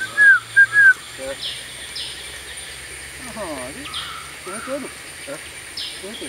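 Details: Blue-winged pitta opening with three quick, loud whistled notes in the first second, followed by quieter voices and scattered other bird sounds.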